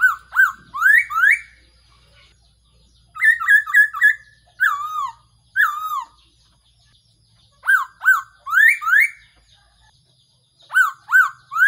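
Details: Decoy call of a Black-throated laughingthrush for trapping birds: repeated phrases of clear, rich whistles, some falling, some swooping upward, delivered in quick groups of three to five with short silent gaps.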